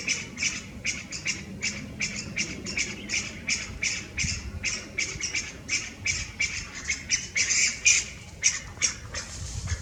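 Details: Ground calls of Chinese bamboo partridge, recorded 11 March 2023, from a non-singing male on a branch some 3 m above the ground, with more calling further back: quick series of short squeaky notes, slightly uneven in timing, continuing throughout.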